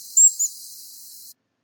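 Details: Black-capped Chickadee giving a high-pitched alarm call of about 8 kHz at a goshawk perched in a tree above: two very high, thin, whistled seet notes in quick succession over a faint hiss.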